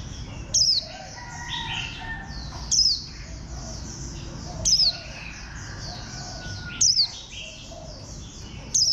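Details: Warbling white-eye, called a bantam-shaped green white-eye, gives loud, short, high notes that slide sharply downward, repeated roughly every two seconds above a constant twittering of many other birds.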